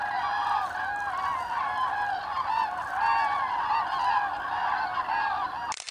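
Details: Common cranes passing in autumn migration, Hesse, 25 October 2021; a crowded flock trumpeting in overlapping calls, growing louder midway, ending with a sudden sharp burst of noise.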